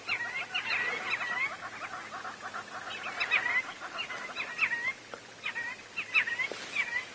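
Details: A large flock of lapwings flying in display on a sunrise game drive in South Africa on 9 November 2017 gives shrill, overlapping, repeated sharp calls in a restless chorus, with hornbills and crested francolin calling faintly beneath.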